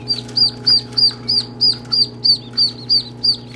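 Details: Ducklings peeping: high, thin, downward-curving peeps repeated about three times a second in a steady rhythm, over a constant low mechanical hum.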